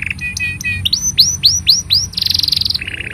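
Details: Canary singing for young and silent canaries to learn from: a soft double-noted trill, then about five loud upswept whistles at an even pace, followed by a fast buzzy rattle and a lower trill.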